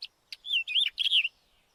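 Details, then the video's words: Short White-tailed wheatear phrase: two sharp clicks, then a smooth whistle, a twisting warbled note and a long wavering whistle, about one second of song in all. "Голоса птиц: белохвостая каменка"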